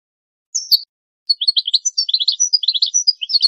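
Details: Goldfinch song for training and breeding stimulation: two opening high notes, then a pause, then a continuous fast chatter of bright, liquid twittering notes rising and falling.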